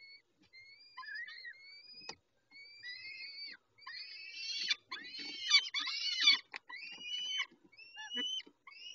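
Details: Peregrine falcon feeding at Dobra, 11:48, dated 19-05-21. Thin, rising, whining calls repeat steadily and build to a dense, loud cluster of arched, squealing notes, then ease back to single rising whines.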